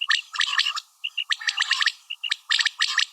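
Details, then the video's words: Female common quail calls: dense clusters of scratchy chattering notes mixed with short clear whistled pips, in quick bursts separated by brief pauses. "Batair Ki Awaz | Common quail Calling| Female Quail sounds"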